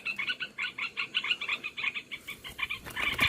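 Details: Trapping lure of the Olive-winged bulbul: a steady train of short, scratchy, harmonic chatter notes, about five per second, growing harsher at the end.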